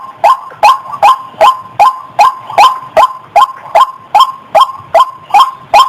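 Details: Calls of a female white-breasted waterhen, used to lure birds: coarse, nasal notes bending upward, about fifteen delivered in a strict rhythm, some two and a half each second.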